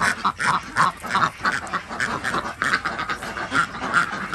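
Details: Flock of domestic Desi ducks kept on a village farm in Andhra Pradesh, India, during morning egg collection. Dense, overlapping nasal quacks come in rapid bursts of two to three per second, with steady flock chatter underneath.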